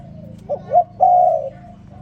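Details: Morning call of a spotted dove, one phrase of two brief rising notes and a sustained low coo, clear over quiet background.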